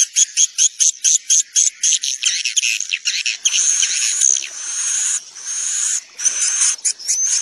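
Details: Swiftlet roosting call, played to draw swiftlets into a building to stay. Rapid pulsed chirps with buzzy high notes, then sustained shrill trilling chatter with thin rising whistles layered on top.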